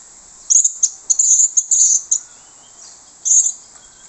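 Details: Orange-headed thrush lure song in the plong bongkar usian style, used to draw in other thrushes: short, very high, bright bursts of notes in a rapid run, a pause, then one more burst.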